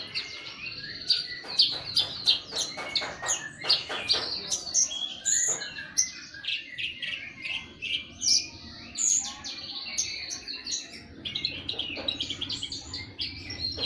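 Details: Javan bush lark learning to sing in the ngeper style: a busy, high jumble of rapid chirps, trills and squeaky notes with little pause, over a low background hum.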